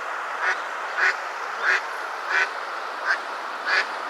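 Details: On a riverbank before sunset on 11 December 2020, an eastern spot-billed duck feeding alongside sparrows gives six short, nasal quacks, about one every two-thirds of a second, over a steady background hiss.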